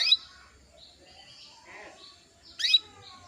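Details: Female canary call meant to raise a male's breeding urge and prompt him to sing; a sharp chirp opens, then quiet twittering, then a second loud chirp about two and a half seconds later.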